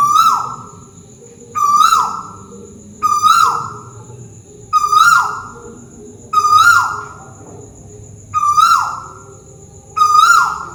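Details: Repeated calls of a Malaysian tuwu owl perched overhead: seven clear whistled notes, each steady then falling at the end, given regularly every one and a half to two seconds against a quiet night background with a constant high faint tone.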